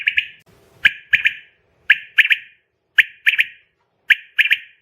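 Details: Female quail call, used as a lure for trapping quail: clipped notes delivered in tight groups of two or three, each group repeated roughly once a second in a clean, quiet setting.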